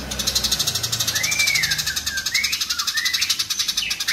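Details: House sparrows fighting: a fast, steady stream of high, harsh chirps, about four per second, with a few slurred whistled glides rising and falling above a faint low hum.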